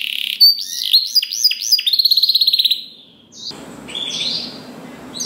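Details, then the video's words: Canary song recorded for training other canaries: chirped upswept notes and a quick rattling trill, followed by a quiet stretch and faint fluttering notes against background hiss. "MASTERAN KENARI GACOR !! DENGAR SUARA KENARI DI JAMIN KENARI ANDA NYAUT SEKETIKA || Voice of Canary"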